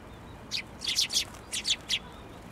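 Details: Several sparrows flock to a narrow post for food at a Tenmangu shrine, 22 January 2024, giving seven bright, clipped chirps in quick uneven groups over about a second and a half, with a low background hum.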